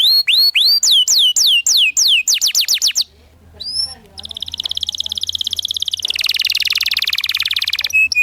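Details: Master canary song for teaching young canaries to sing, with looping whistled syllables and quick falling strokes, a brief quiet gap with faint low noise, then a long buzzy, rattling trill.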